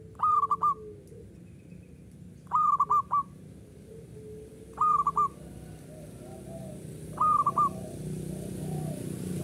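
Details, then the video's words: Local zebra dove in steady song, with four evenly spaced phrases about every two seconds. Each is a tight run of rolling, ringing coo notes over soft background hiss. "SUARA PERKUTUT LOKAL URAA UMUM GACOR NGAYER"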